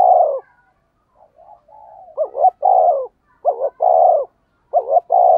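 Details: Cooing spotted dove, 'thúc gù' style for attracting wild doves: a rapid series of loud low phrases, paired clipped notes alternating with broad hoarse coos, after a brief run of soft murmured notes. No background noise.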